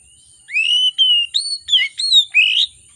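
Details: A heated oriental magpie-robin sings a lure phrase with varied content: a long rising whistle, a wavering note, quick downward slurs and a last bright rising whistle in a continuous two-second run, over a faint high hum.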